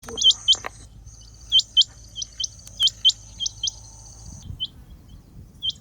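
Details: Rain quail calling: sharp, high, upward-flicking notes given in quick pairs, repeated about every second, over a thin steady high hum and a quiet background.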